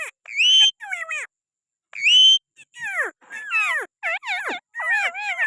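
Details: Green parrot from Pakistan sitting on a person's hand, calling in bursts of whistled and falling squawks, some sliding downward, repeated in irregular clusters.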